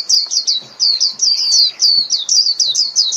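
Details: Japanese white-eye song calling the flock: loud, continuous high-pitched twittering of quick, repeated descending whistled notes, about five per second, with no pause across the clip.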